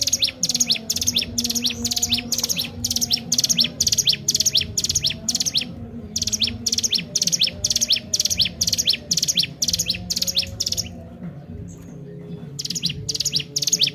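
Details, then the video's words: Energetic Sunda warbler song for training birds: long runs of tightly repeated high buzzy chips with slurred notes, broken by brief pauses near six and eleven seconds, over a constant low hum. "cigun gacor tak main2×"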